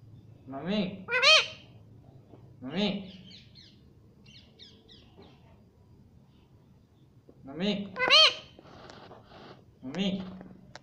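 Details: Talking rose-ringed parakeet, a pet ringneck, repeating "mummy" in nasal, harmonic two-part phrases, with a pause of several seconds between the pairs and faint scratchy chirps in between.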